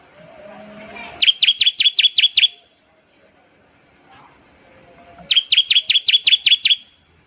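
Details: Bar-winged prinia ngebren, a trill aimed at getting other prinias to sing; two bursts of roughly eight crisp, high, rapidly repeated chips about four seconds apart, with faint background hum between.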